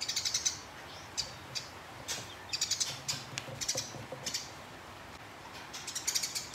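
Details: House sparrow fighting a rival, giving long rolling chatter: bursts of rapid, dry, clicking chirps in quick runs, separated by short pauses, with a faint low background hum.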